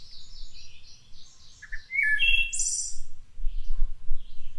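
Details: Song of a wood thrush recorded around Cincinnati, Ohio: a short pair of low notes, then a clear fluted phrase finished by a bright, high buzzy trill, with fainter high-pitched bird song in the background.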